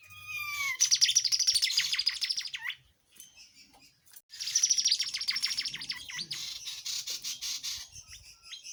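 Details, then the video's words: A gacor tledekan jati, recorded as tutor song for songbirds: rising whistles lead into two long, rapid, buzzy high trills separated by a short gap of soft chips. "Tledean jati Gacor masteran ampuh buat murai batu,kacer, ijo dan kicauan lain"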